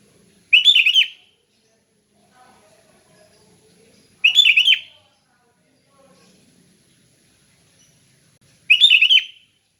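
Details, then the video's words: Sooty-headed bulbul singing in a relaxed, clear ngeplong style, used for training other bulbuls: three short bright warbled phrases, each about half a second long, repeated roughly every four seconds with quiet gaps between. "Kicau Kutilang Ngeplong Santai"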